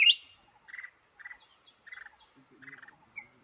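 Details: In a trap in a cashew garden, a male red-whiskered bulbul opens with a loud sharp note, then gives a series of short buzzy chirps roughly every half second.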